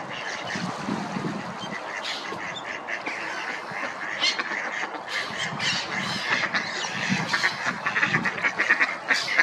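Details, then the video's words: Several swimming ducks quacking together in a busy, overlapping chorus of short, harsh nasal quacks at irregular intervals, some louder calls standing out in the later seconds. "Ducks quacking"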